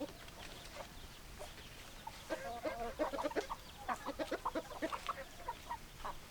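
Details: Chicken hens start after two quiet seconds with a rapid burst of short, rhythmic clucks, some higher and squeakier, continuing steadily to the end against faint background noise.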